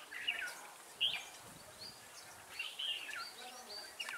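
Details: Trapping-decoy Red-whiskered bulbul giving brief, lively whistled phrases with sharp upward and downward slurs, about four bursts separated by short pauses, against soft background hiss.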